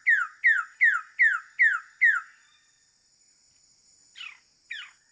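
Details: Wilson's bird-of-paradise calling: six loud, downslurred, slightly harsh notes delivered in a quick even series roughly every 0.4 seconds, then a pause before two shorter rasping notes, all over a steady high-pitched insect hum.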